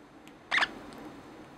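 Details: A female pet lineolated parakeet makes one quick, soft, bubbly pop, like a bubble bursting, mid to high in pitch, in a quiet room; she makes this sound when she is content.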